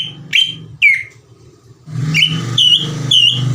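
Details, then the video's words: Greater green leafbird song used as a lure to rouse other leafbirds: a few loud whistled notes, some sliding downward, then a quick run of bright repeated whistles, over a steady low hum. "PANCINGAN CUCAK IJO GACOR CEPAT MENAIKAN EMOSI CUCAK IJO LAIN"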